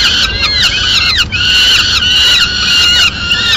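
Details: Madrid peregrine falcon nest, female arriving mid-morning with a pigeon scrap; rough, whining calls running almost continuously, with quick pitch slides and wavering tones.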